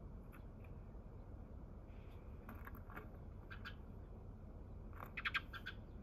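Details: Wild Eurasian tree sparrow, the first to arrive on 27 March, gives a quick burst of several short, bright chirps near the end, after scattered faint ticks over a steady low background hum.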